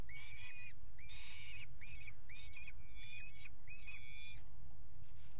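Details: Peregrine falcon at a nest box on a water tower, recorded by a nest camera on 5 February 2018 during mating on the ledge: six loud, harsh, ringing calls in a quick series, each with a rising then falling contour, over low rumbling background noise.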